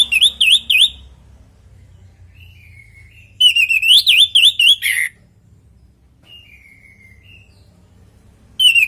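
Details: Orange-headed thrush singing naturally, meant to coax other birds to answer: loud zigzagging whistles in fast repeated phrases, with soft downslurred whistles in the quiet gaps between bursts.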